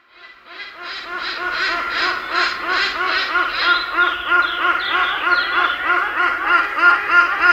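Hornbills give loud, nasal, honking calls repeated about three times a second in a rising and falling chorus, with several birds overlapping.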